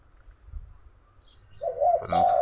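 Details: An excited dove calls close by in the early afternoon on a hot, overcast day; after near-silence and faint higher chirps from another bird, a loud, low cooing phrase starts midway and carries to the end.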